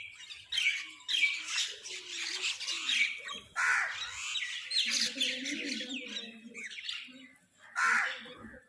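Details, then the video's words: Crows squabble over food, giving loud, grating squawks and scratchy calls in tight overlapping bursts, with a low murmuring background underneath. "Crows fight for food | Crow Sound part 2"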